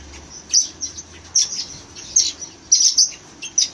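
Red-rumped parrots giving high, sharp chirps in short bursts, roughly one every second, uneven in pace, over faint background hiss.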